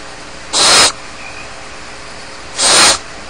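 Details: Two rasping, airy hisses from Barn owl chicks left alone in their nest at Starr Ranch, about two seconds apart, each lasting a third of a second, against a quiet, even background.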